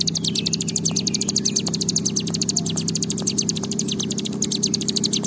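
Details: Bar-winged prinia singing in the long "ngebren" style: a fast, continuous high rattling trill of buzzy notes running the whole stretch, over a steady low mechanical hum with faint scattered clicks.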